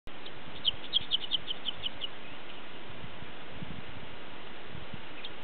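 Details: A Dickcissel sings in June at Spring Green Preserve, a quick run of about seven sharp, high chips fading over a second and a half, against steady wind rumble.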